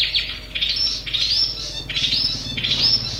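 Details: Long-tailed shrike in its natural habitat repeating short scratchy phrases, each ending in a rising high whistle, about every three-quarters of a second, over a low background murmur.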